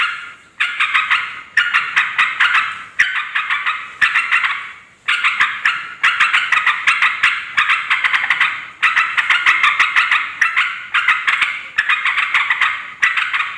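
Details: Restless chattering of a yellow-vented bulbul, used to call in wild birds of both sexes; steady stream of coarse, buzzy notes grouped into phrases of about a second, with rapid sharp attacks and only short breaks throughout.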